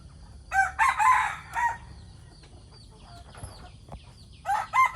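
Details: Morning decoy chicken crowing twice, several seconds apart. Each is a rough, multi-part cock-a-doodle-doo. Faint chirps from other small birds fill the gap between crows over a low background hum.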